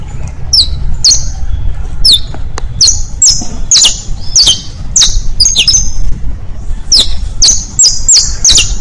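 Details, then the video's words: Song of a saffron finch used to train young birds, styles bastos, pintos and finos: spaced, sharp high chirps with short buzzy tails, set against constant low background rumble. "Una hora de Cantos para enseñar canarios, bastos, pintos, finos..."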